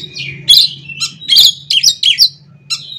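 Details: Oriental magpie-robin singing to make other magpie-robins sing, a quick energetic burst of harsh, buzzy notes mixed with bright whistles above a faint low hum.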